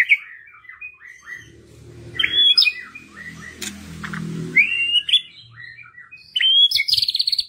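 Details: White-rumped shama song meant to stimulate quiet birds to sing. Short whistled and chirpy phrases are broken by a burst of broad noise midway, then a bright closing phrase with fast repeated notes.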